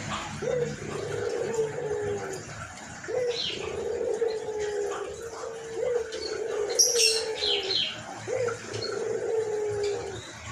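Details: Repeated phrases from a hoarse-voiced white collared dove: each opens with a short sharp note, then a long low coo, recurring roughly every two to three seconds, while other birds chirp higher.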